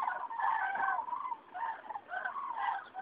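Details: Migrating cranes over Rochechouart, France, mid-February 2013, one of many passages announcing spring; close, loud rolling trumpet calls overlapping in a continuous chorus with a brief lull near the middle.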